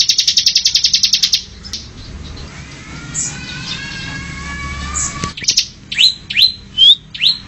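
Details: Bar-winged Prinia (ciblek) delivering a short burst of fast, high ticking. After a quiet stretch with a faint drawn-out tone, a series of separate sharp, downward-slurred whistles follows.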